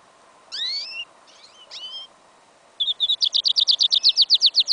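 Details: Goldfinch and canary hybrid (yellow isabel), recorded in a field in winter on 11 January 2015, singing an incomplete song: a few sweeping whistled notes, a brief pause, then a fast, even trill of bright repeated notes for about two seconds.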